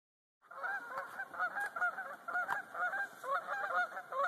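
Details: A flock of geese flying past a canoe over the watershed in Talladega National Forest, Alabama, giving a steady stream of overlapping nasal honks. The honks repeat rapidly and irregularly, several per second, for about four seconds.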